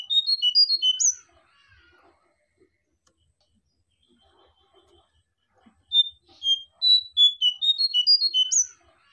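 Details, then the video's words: Lure song of the Sunda bush warbler (jongkangan, cingcoang coklat), played to attract and tutor birds: two bursts of quick, piercing high whistles, each a tumbling series of rising and falling notes, separated by a quiet pause. "suara pikat burung jongkangan atau cingcoang coklat"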